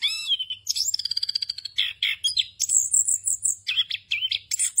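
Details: Rolling, phrase-filled song of an orange-headed thrush meant as a tutor for young birds: a downslurred whistle, a fast trill of clicking notes, then a long high thin whistle and jumbled warbling phrases, with a soft low hum.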